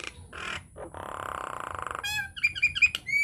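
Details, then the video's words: A Nias hill myna, recorded as a lure to set other mynas singing, gives a drawn-out harsh nasal squawk, then a cluster of bright, ringing whistled notes. "PANCINGAN / MASTERAN JALAK NIAS GACOR, TEMBAKAN DAHSYAT 🔥 |INDIAN MYNAH BIRD CALL"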